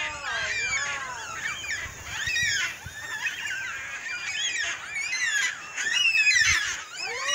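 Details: A flock of black cockatoos on 21 August gives overlapping wailing, drawn-out calls that rise and fall, a dense chorus almost without pause, with a person's excited exclamations.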